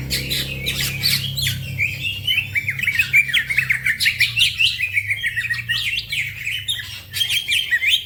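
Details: Green leafbird (cucak ijo) in fast, energetic song, used as a master recording for other songbirds; dense, jumbled chatter of quick twittering notes and sliding whistles, faint low hum in the background.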